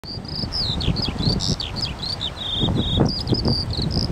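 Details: Eurasian skylark singing: a continuous run of high, quick warbled and trilled notes, slurred up and down without pause, over steady low rumbling wind or background noise.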